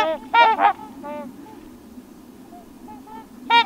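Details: Trumpeter Swans on water at Crex Meadows, Wisconsin, in autumn low-angle light; a burst of brassy, nasal honks from more than one bird, softer scattered notes in between, and a final loud honk, with low background hum.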